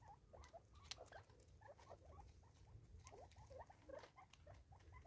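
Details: Natal spurfowl, a group of five feeding together in South Africa in 2024: rapid, soft, rhythmic chattering notes, short and mid-pitched, running throughout, with occasional crisp clicks over a low hum.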